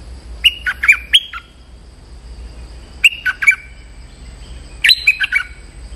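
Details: Stripe-throated bulbul, a lure recording used to call a territorial resident bird: three bursts of loud, quick whistled phrases, each of four to five sharp notes stepping up and down, separated by pauses of about two seconds.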